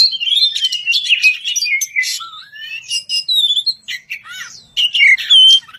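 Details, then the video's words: Singing kacer, or white-rumped shama, challenging an opponent: whistled notes sliding up and down between harsh chips, with scattered phrases and a final pure, clear whistle. "Kicau merdu suara kacer ngeplong memanggil lawan, kacer apasaja langsung nyaut bunyi gacor!"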